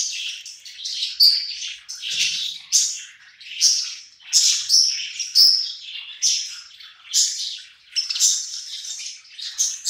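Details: Budgerigars gathered around food, eating together and chattering continuously with bright, buzzy chirps and warbles in pulsing waves roughly every second, one faint knock early on.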